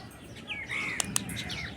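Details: Parrot calling in its natural voice: a series of clear whistled notes sliding downward, one long drawn-out slur in the middle, with two sharp clicks and low background hiss.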